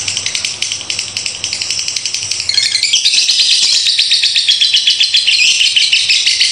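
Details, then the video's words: Long ngekek konslet chatter from a lovebird: fast, shrill, clicking notes, about four a second, then a louder, denser stretch of buzzy trilling that runs on without a break. "LOVEBIRD NGEKEK KONSLET PANJANG"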